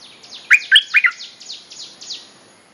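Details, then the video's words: Lure recording of a bulbul mate-calling song for teaching young birds: a short burst of four bright, bubbling chirps, followed by softer descending whistled sweeps fading out. "เพลงเรียกคู่ หัดลูกเสอ Suara pikat merbah lekir gacor"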